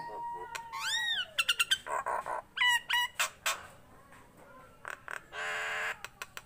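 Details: Tame Nias hill myna singing actively: a long steady whistle, an arched rising-falling note, quick clicks, looped whistles and a harsh noisy rasp before scattered sharp ticks.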